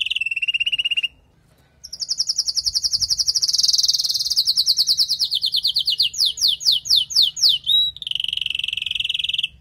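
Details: After the moult, a female canary calls to stimulate the male: a low trill, a short silence, then a high rapid trill turning into spaced downslurs, ending in a lower rolling trill.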